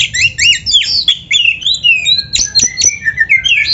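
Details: Kacer (Oriental magpie-robin) singing a rich 'gacor' training song: rapid sweeping whistles and twittering notes run together, with sharp clicks punctuating the second half.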